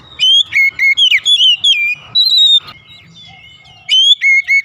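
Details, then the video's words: A white-rumped shama sings in the morning: a fast series of loud, fluty whistles with quick pitch jumps, a pause with faint low background murmur, then more bright repeated notes. "OCEHAN KACER DI PAGI HARI"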